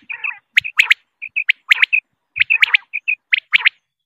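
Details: Quail repeating brisk clusters of sharp, whistled notes, each group separated by short level piping tones, roughly one burst per second, clean and without other noise.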